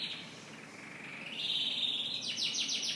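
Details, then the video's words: Canary in morning song: a steady low whistled tone rising to a higher sustained note, ending in quick repeated trilled notes, with light background noise. "Canary Morning Singing"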